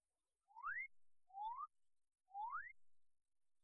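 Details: A male magnificent riflebird in dense lowland forest gives three loud, clear, far-carrying rising whistles, about one per second, with faint low rumble between. The calls advertise his courtship display area to females and rival males.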